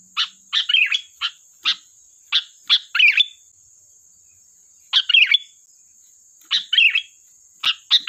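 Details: Sooty-headed bulbul song used as a lure: a quick run of short clear notes and burbling warbled phrases, then a pause before further bubbly bursts, a steady piercing high whine persisting underneath.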